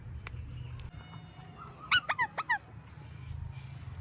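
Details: Indian ringneck parakeet calling: a quick burst of five short, ringing squawk notes packed into under a second, set against a steady low hum and faint background noise.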